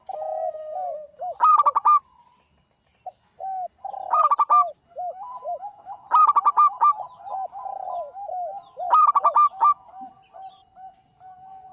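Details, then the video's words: Actively singing local zebra dove: four loud, stuttering bursts of bright notes about every two and a half seconds, with soft low coos running between them. "Suara Burung PERKUTUT LOKAL GACOR"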